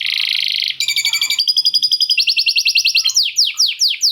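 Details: Canary song filled with lovebird chatter. It opens with a loud buzzy rattle, then runs through tours of rapid, evenly repeated notes, each tour slightly higher. It ends in several sharp downward-sweeping whistled notes spaced about a quarter-second apart.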